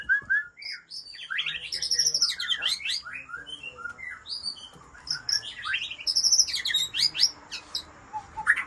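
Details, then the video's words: Original breeding-stock Aceh white-rumped shama from Lamteuba delivering a rapid, complex song of squeaky high chirps, trills and clicking notes, dense and continuous with little pause, over faint background hiss. "Murai Aceh - SMBF # Indukan Ori lamteuba 6"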